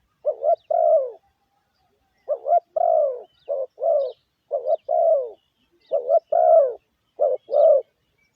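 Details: Spotted dove giving a cooing lure call used to attract other birds: low, hollow coos in repeated phrases, each a quick pair of short notes followed by a longer drawn-out coo, about four phrases in eight seconds, with a quiet, clean background.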